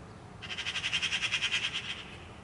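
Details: Eurasian magpie chattering: a rapid burst of around fifteen scratchy, rasping notes lasting about one and a half seconds, rising in loudness and then fading, against quiet low background noise.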